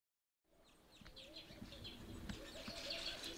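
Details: A male village weaver shaping his new grass nest from inside gives busy, buzzy, sizzling chatter, high, fast notes tumbling over each other, above a low, wavering hum and soft rustling.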